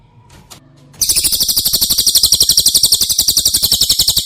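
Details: Cililin, sung as training audio for caged White-rumped shamas: faint background sounds give way to a loud, sustained rapid trill of piercing high notes continuing to the end.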